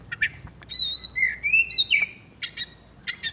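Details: Oriental magpie-robin, described as bathing and chattering: a few sharp chips, then sweet, clear, slurred whistles rising in pitch, and more brisk high chips at the close.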